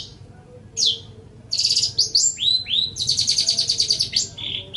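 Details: Long-tailed shrike song for training other birds: a varied, rich phrase with a falling whistle, rising slurred whistles and a fast buzzy trill, sung loud and close.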